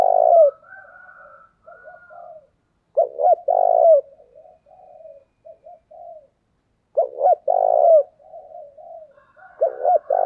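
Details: Caged decoy spotted dove calling to lure wild doves: three loud, deep two-part coo phrases roughly every four seconds, with softer, lower murmured cooing filling the gaps between them.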